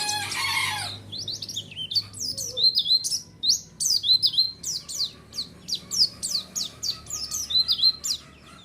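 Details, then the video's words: Lure recording of white-eye song meant to draw a reply. A brief loud lower call opens it, then a steady run of high, sweet, slurred chirps follows, repeated several times a second over a faint background hum. "Pleci Yang Dengar Langsung Respon//Pancingan Suara Burung Pleci"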